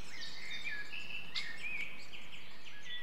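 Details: Great spotted woodpecker nestlings at a nest-hole in Clyne Woods, Swansea, Wales, in May, as adults come and go feeding them. A continuous, wavering, buzzy chatter with overlapping high notes runs throughout.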